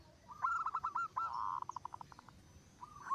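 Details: Zebra doves singing, one bird's song prompting others to join. Rapid stuttering coos speed into a purring trill, then fade into spaced single notes. A fresh phrase starts at the end over faint background hiss.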